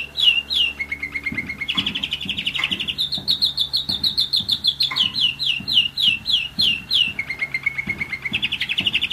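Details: A one-year-old German Roller-split canary sings a varied sequence: slurred whistles, a low even trill, and long runs of repeated down-slurred notes. A soft low hum and faint rhythmic tapping sit in the background.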